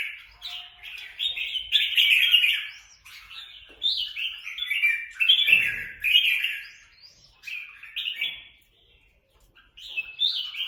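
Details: Quarrelling free-ranging red-whiskered bulbuls from Quang Nam, Vietnam, give loud, rasping, bubbling chatter in repeated bursts of one to two seconds, some notes sliding upward, with short quiet gaps between.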